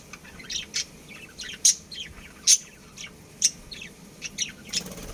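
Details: Budgerigar breeding pair: busy high-pitched chirping and warbled squeaks, punctuated by several sharp bright clicks at irregular intervals over soft background hum.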